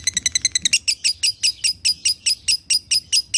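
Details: Lovebird in lively gacor song, konslet style, recorded as training material for other lovebirds: an opening burst of quick clipped chirps, then evenly spaced harsh, buzzy high notes roughly four per second, quiet hum underneath.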